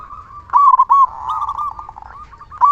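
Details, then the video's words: Local zebra dove, a vigorous singer with a big voice, used as a lure to spur other zebra doves into song; one rich, mellow, rolling coo phrase, then a softer sustained trill and the start of another phrase. "Perkutut lokal gacor suara besar"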